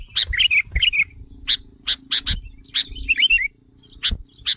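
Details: Provocation lure call of the sooty-headed bulbul: sharp clipped chirps and a couple of fluttering warbled phrases over a steady low hum, with the chirps spacing out toward the end.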